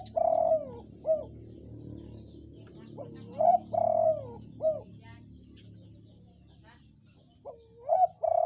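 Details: Red-coloured spotted dove, a strongly vocal bird used as a lure to make other doves call; three mellow cooing phrases, each a rising opening note, a long sustained coo and a short clipped final note, with low background hum.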